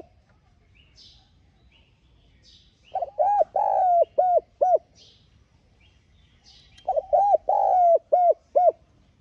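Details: Spotted dove used as a decoy caller, giving two repeated coo phrases about four seconds apart. Each has quick opening notes, a drawn-out falling coo and two clipped end notes, with soft bird chirps in the quiet background.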